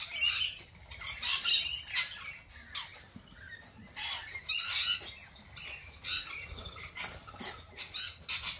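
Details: Several lorikeets squabbling with rapid, grating high-pitched screeches and chattering squawks that overlap almost continuously, with short dips between louder outbursts.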